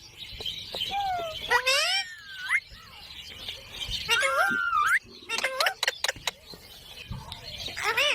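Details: Green parrot talking, a series of high, clearly harmonic vocal sweeps and whistled glides with short chatter in between and quieter background sounds.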